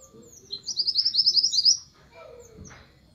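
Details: Orange minivet calling its flock: a fast run of about a dozen sharp, high, slurred notes over roughly a second, steady in pitch, with faint high chirps from other birds and a soft low rustle behind.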